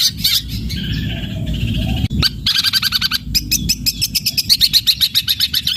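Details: Long-tailed shrike delivering energetic, drawn-out fighting song that includes sparrow-imitation material: rasping, squeaky phrases broken by a sharp click, then a fast regular series of high chipping notes over constant low hum.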